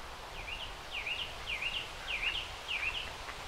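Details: Common moorhen and two juveniles on a pond by the former DLI Museum in Durham, 29 June: thin, high, slurred chirps in pairs, repeated roughly every 0.6 seconds, over a low rumbling background.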